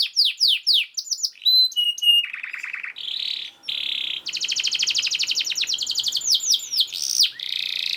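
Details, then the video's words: Dense canary song used as a master for other canaries: falling whistles, a low buzzy trill, then a long fast rattle and sharp sweeping notes. "KENARI GACOR SPEED RAPAT UNTUK MASTERAN KENARI ANDA"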